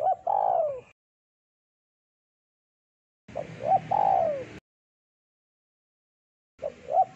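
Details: Spotted dove, a lively singer with a thick voice, recorded for luring birds, giving deep cooing phrases: short notes followed by a long, falling coo, repeated in bursts separated by silent gaps.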